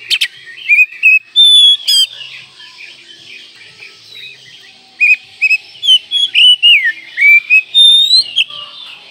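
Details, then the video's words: Oriental magpie-robin (kacer) in the manjur style, a song for tutoring birds: dense bursts of sharp whistled notes and buzzy rasps, a long pure whistle, a pause, then a fast varied sequence of slurred whistles. "Masteran Kacer Manjur Pagi Siang Malam"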